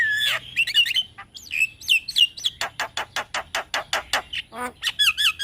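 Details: Javan myna master song meant to coach young birds, with whistled slurs and a long run of evenly repeated sharp clicking notes ending in warbled phrases.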